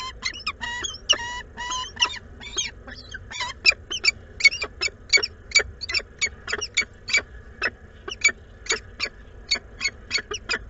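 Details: A pair of wild peregrine falcons at their Włocławek nest, Poland, 12 May 2022, exchanging food. Rapid, loud, grating chatter opens with clustered harsh notes, then settles into a steady run of about two scratchy calls per second for ten seconds.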